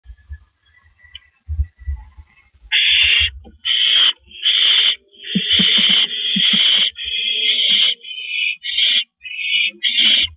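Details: Owl at a live owl cam, 13 April 2012 at 5:40 in the morning, stopping by; a series of loud, harsh, raspy screeching calls, each about half a second to a second long, with soft low thumps and scuffles.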